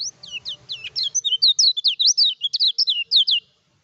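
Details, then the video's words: Gacor kecial kuning (Lemon-bellied white-eye) song meant to provoke rival birds during training; a dense, rapid stream of high, looping whistled notes, each swooping up and down, running about three and a half seconds before stopping abruptly. "PANCINGAN KECIAL KUNING GACOR TANPA DOPINGAN COCOK UNTUK MASTERAN"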